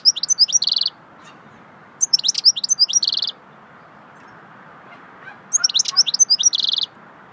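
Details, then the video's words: Goldfinch singing in the swittey song style: three bursts of rapid high twittering notes and trills, each under a second long, with quiet pauses between and a faint low background hum. "Singing swittey goldfinch song"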